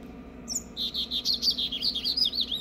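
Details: A young, still-brown seedeater (papa-capim) perched on a bin sings a quick run of high, twittering notes, warbled and slurred up and down, its song not yet defined, excited by passing waxbills, over a faint low hum.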